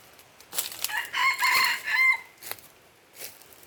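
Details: Junglefowl from Aceh, recorded 5 January 2020, giving a crow: a few short clipped notes, then a harsh multi-part phrase ending in a drawn-out tone, followed by faint rustling and soft knocks.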